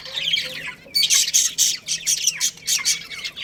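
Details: Budgerigar breeding pair in a colony: softer warbling chatter at first, then a run of loud, harsh, buzzy chirps in quick succession.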